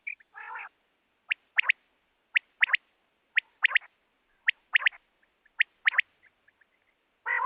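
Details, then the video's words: Repeated quail phrases, each a quick trio of sharp liquid whistled notes roughly every second, bracketed by short rasping buzzy notes at start and end. "don batair ki awaz|batair ki awaz|quail sound"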